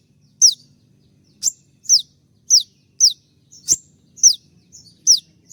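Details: High, sharp, downward-slurred notes from a konin in molt, singing the 'tembakan' shooting style for training birds, delivered about every half second with a few fainter notes and a soft background hum.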